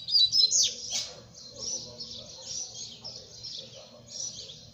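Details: Double-collared seedeater in song. It opens with loud, sharp, high twittered notes, then a softer continuous stream of thin chirping phrases runs to the end over a low hum.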